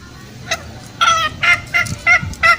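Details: Green junglefowl lure sound for forest trapping: a short string of fainter, clipped nasal notes, about three per second, after a brief quiet opening.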